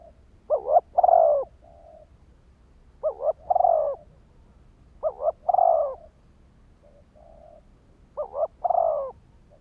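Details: ['Four cooing phrases from a spotted dove used as a decoy to stimulate wild birds, each a rapid two-part note then a long hoarse coo, soft tail notes after some, steady quiet hum.']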